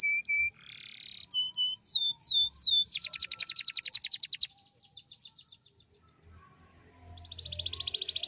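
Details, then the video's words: Canary master song for other canaries: a flat whistle, a short buzz, then repeated downward-sweeping notes leading into a long rapid trill, with another trill starting at the end. "Suara burung kenari GACOR tajam Ampuh ngerol panjang ‼️ cocok untuk masteran kenari lainnya"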